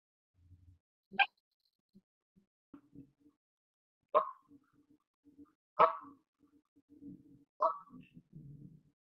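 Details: Repeated honks of a Canada goose, harsh nasal notes spaced one to two seconds apart, over a background of low, soft grunting murmurs and rustling.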